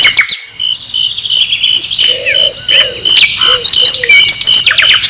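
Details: Asian brown flycatcher song, played to provoke other birds into singing: thin, high chirps and quick upward-sweeping notes in irregular bursts. Steady shrill insect-like tones run underneath, and softer, lower warbled notes appear midway.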